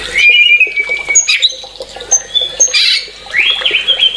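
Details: White-rumped shama delivering long drawn whistles and bright high notes, ending in a loud rising-then-level whistle, with a faint low hum beneath.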